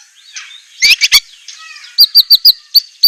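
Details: White-rumped shama filler song: a soft murmur, a quick trio of harsh notes, then a steady series of sharp, high, clipped whistles given about every fifth of a second.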